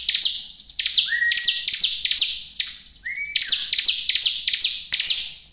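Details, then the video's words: A lure recording of a bar-winged prinia in full song, meant to stir other prinias to sing. Quick clusters of piercing high chirps alternate with two short, slightly rising whistled notes. "suara ciblek gacor ini bikin ciblek lain langsung emosi dan ikut gacor || pancingan ciblek"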